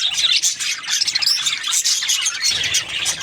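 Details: Budgie chirping: a flock's high, squeaky warbling and quick tweets run together nonstop, with short whistled slurs standing out from the chatter.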